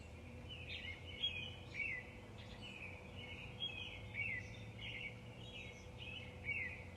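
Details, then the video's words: Early morning birdsong of high, sweeping chirps and short twitters repeated through the recording, set against a constant low hum and outdoor noise. "Early Morning Birds Chirping"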